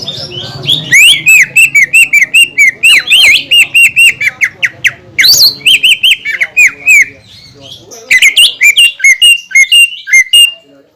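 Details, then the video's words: Song of a greater green leafbird meant to trigger other leafbirds: long runs of rapid, loud whistled notes repeated at a quick steady pace, with varied slurs and a short lull before resuming. "PANCINGAN CUCAK IJO GACOR YANG BIKIN BURUNG CUCAK IJO LAIN EMOSI DAN LANGSUNG GACOR"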